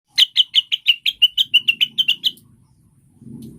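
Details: Cucak wilis, also called rengganis, used as a lure to get caged birds singing: a rapid string of about twelve sharp, slightly buzzy chirps at a steady high pitch, then a faint low rumble.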